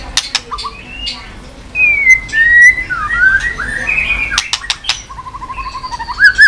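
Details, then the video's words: White-rumped shama (chòe lửa) stimulated to sing while flicking its tail. Pure whistled notes and slurred phrases, a low warbled trill, then a rising flourish, with sharp dry clicks throughout. "chòe lửa tạch đập đuôi sàn cầu dùng kích lửa cho chòe lửa lên lửa cực nhanh hót.Chòe Lửa đánh đuôi"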